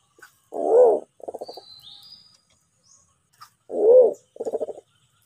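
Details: White-faced cuckoo-dove of Sulawesi, recorded for use as a trapping lure: two low cooing phrases, each a deep arched hoo followed at once by a short burst of rapid stuttering pulses, with faint thin high bird notes behind.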